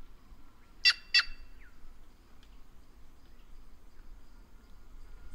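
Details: A White-naped jay (Cyanocorax cyanopogon) from the Brazilian caatinga utters one quick doubled harsh call early on, then a short soft chirp, over steady low background noise.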